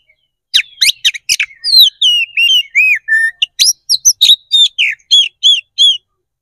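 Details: Oriental magpie-robin (kacer), a contest fighting bird, singing a fast, varied string of sharp whistles and chirps, notes swooping up and down and repeated in quick bursts, used as bait to provoke a response and raise the bird's fighting spirit.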